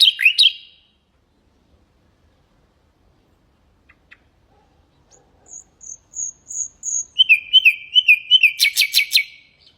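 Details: Singing common nightingale, a model for goldfinches and canaries: a quick opening flourish, a long silence, a row of high thin whistles, then fast repeated notes ending in a dense rattling trill.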